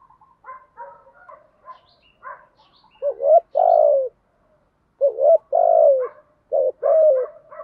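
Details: Spotted dove used as a decoy to draw in wild doves, giving repeated loud, low, hoarse coo phrases, each a short note followed by a longer drawn-out one, over softer chattering calls in between.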